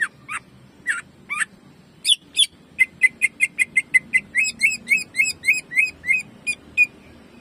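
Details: Greater green leafbird in jamtrok song with rapid shooting bursts: scattered sharp chirps open, then a quickening train of bright, slightly downslurred whistled notes, roughly four per second, at even pitch.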